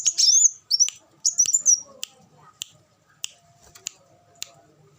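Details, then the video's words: A short spell of high, quick twittering from an olive-backed sunbird opens, followed by a series of isolated sharp clicks or ticks spaced about half a second apart. "suara burung kolibri wulung"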